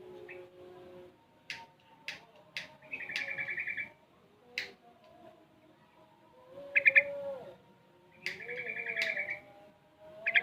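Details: Six-month-old Sooty-headed Bulbul, very active and learning ropel and garuda song styles, gives short bright chirps and buzzy pulsed bursts at irregular intervals, with a faint steady low hum underneath.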